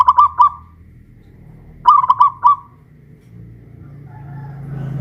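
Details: Caged zebra dove, local Pajajaran strain from Kuningan, West Java, raised on a hoisting pole: two short bursts of quick staccato coos, followed by growing background noise.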